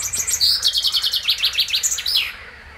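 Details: Common chaffinch singing on 15 June 2020, a loud descending series of bright repeated notes speeding into a trill and ending in a flourish, about two seconds long; frogs mentioned as present.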